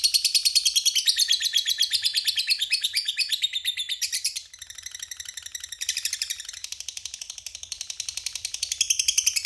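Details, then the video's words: Lovebird in full voice giving a long chattering song (ngekek panjang), a fast unbroken stream of high, rasping, buzzy pulses about seven per second that dips briefly midway then resumes as steadily. "Suara burung Lovebird gacor Ngekek Panjang"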